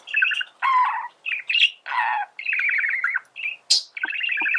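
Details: Male budgerigar song used for teaching birds to sing: nonstop chatter of trilled warbles, scratchy squawks and one sharp high squeak near the end.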